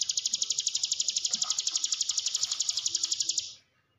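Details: Hill prinia lure song for training quiet cage birds: a long, high, rapidly pulsed trill at about four notes a second, held steady for over three seconds before cutting off.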